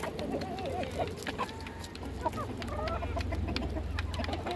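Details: Hens at feeding time, many overlapping wavering clucks and short trilled notes, a steady low hum running underneath.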